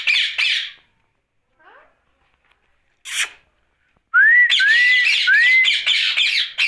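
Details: Pet rose-ringed parakeet vocalising at night: bursts of harsh, buzzy squawks separated by silent gaps, then three clear rising whistles followed by a dense run of rasping calls.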